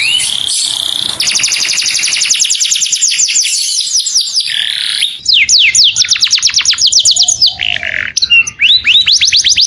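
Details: Saffron finch calling to its companion with a clear voice: bursts of rapid, high, repeated sweeping notes form dense trills, broken by a few brief pauses and a lower slurred note, ending in a faster chattering run.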